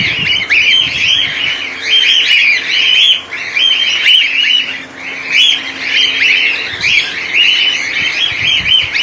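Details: Cockatiel colony recorded in 2019: a dense, continuous chorus of many birds, with overlapping shrill chirps and warbling calls running without pause.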